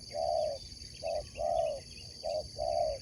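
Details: Competition Spotted dove singing five rounded coo notes in about three seconds, the longer ones held and slightly falling. High steady insect-like whine and light chirping in the background.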